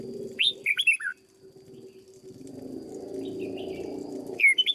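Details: Red-whiskered bulbul in a cage, trained as a lure bird, delivers a short slurred warbling phrase, then a stretch of low rumbling noise, and another bright phrase at the end.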